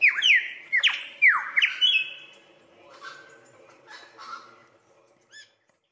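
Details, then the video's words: Australian lyrebird mimicking other birds during its courtship dance: three loud, ringing down-slurred whistles, then softer, lower warbled notes and a brief high chirp, with quiet gaps between. "Australian Lyrebird magnificent calls"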